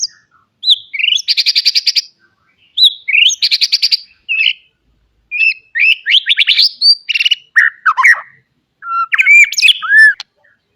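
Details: White-rumped shama, a caged bird kept for song training, singing a full varied song: repeated rapid buzzy trills alternating with clear whistled slurs and sharp rising and falling notes, in bursts separated by short pauses.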